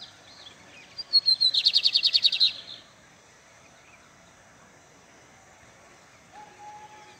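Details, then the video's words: Lined seedeater, casca grossa song style, from a breeder's bird: a few thin whistled notes lead into a fast, even, buzzy trill lasting over a second. Quiet background follows, with a faint low tone near the end. "Bigodinho Casca Grossa cantando muito"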